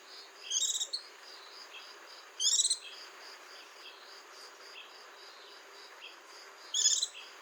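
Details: White-eye giving brief, high, trilling bursts at irregular gaps of two to four seconds. A continuous thin, pulsing hum of insects fills the pauses.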